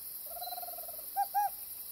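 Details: Tropical screech owl, a resident bird of Costa Rica: a low, soft purring trill lasting nearly a second, followed by two short, emphatic hooting notes, against a steady high-pitched hiss of insects.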